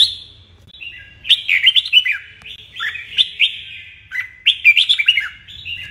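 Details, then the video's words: A red-whiskered bulbul sings a morning song, loud, bubbly phrases of quick up-and-down whistled notes, two bursts a few seconds apart, with a faint low hum underneath. "Luyện chào mào hót sáng"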